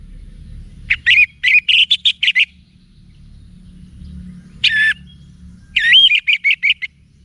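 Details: Orange-headed thrush delivering bright, buzzy whistled phrases. A fast string of notes, silence, a single sharp note, then another quick run of about six repeated whistles.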